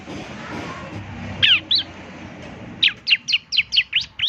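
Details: Bar-winged prinia singing energetically, played mornings so other prinias will answer: two high chirps after a quiet start, then a swift series of seven loud, sharply falling notes.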